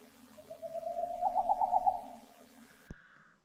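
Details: Boreal owl at night on 11 March during an owl survey, calling close, possibly two birds (one regular call, one softer): a rapid rising trill of soft hollow toots lasting about two seconds over a low hum, then a click and a brief higher tone.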